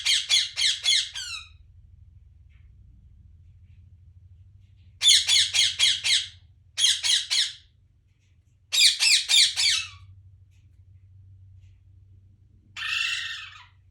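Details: Parrot chirping indoors: several bursts of rapid, harsh, high-pitched chirps, about five notes per burst, separated by silent gaps, ending with a longer grating squawk; faint low hum in the background.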